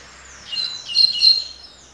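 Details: Double-collared seedeater in the 'tui tui' song style, a short bright warble of about one second with sweeping high notes and a brief rising flourish, over a faint low hum.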